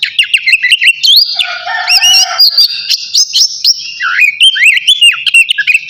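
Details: Before bathing, a kacer navy oriental magpie-robin pours out continuous song mixing sweet whistles, scratchy chatter and a low buzzy note, followed by rising and falling whistled slurs.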